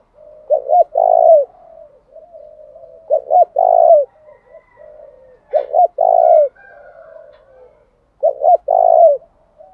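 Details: Spotted dove lure calling to provoke wild rival doves. Four repeated phrases, each two brief clipped notes then a long husky coo bending down at the end, about every two and a half seconds, over faint soft background tones.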